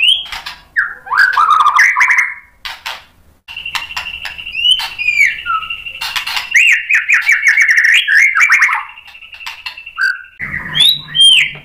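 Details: White-rumped shama singing energetically in reply to a rival fighter bird, provoked into showing its full repertoire of learned phrases. Rich, fast medley of whistles, chirps and trilled runs, with a long sustained high note mid-song and sharp upswept notes.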